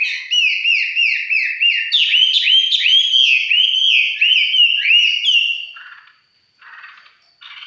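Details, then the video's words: Mộc chiến red-whiskered bulbul in easy song: a loud chain of rolling, looping whistled notes repeated about three per second for over five seconds, followed by softer rasping chirps. "Cận cảnh mộc chiến., hót chơi"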